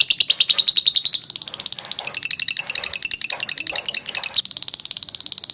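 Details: Lovebird ngekek, the long trilling song used to train birds: a piercing, quick-pulsed chatter that starts strong, turns softer and rougher in the middle, then returns to a clear rapid trill.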